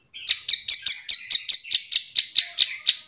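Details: Bar-winged prinia calling to a companion, a call used to spur silent prinias into singing back; a steady run of about fourteen sharp, buzzy high notes, roughly four per second, without pause.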